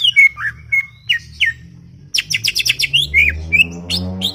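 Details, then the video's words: Greater green leafbird, described as very chatty and talkative, in a garden; sharp whistled notes and short falling slurs give way to a quick run of bright chattering notes, over a faint low hum. "CUCAK IJO cerewet bin bawel"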